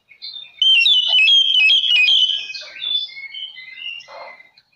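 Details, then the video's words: Oriental magpie-robin in full song, used as a lure to provoke other magpie-robins: a rapid stream of bright, varied whistles and slurred notes, then slower separate whistled phrases and a short rough note. "Kacer Lain Pasti Langsung Konslet Mendengar Suara Pancingan Kacer Gacor Ini"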